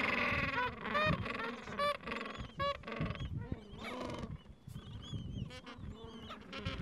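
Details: Gentoo penguins in a Falkland Islands breeding colony on a mild afternoon, adults caring for chicks aged two to three weeks; a series of rhythmic braying pulses, roughly one per second, fading into softer mixed calls and high chick peeps.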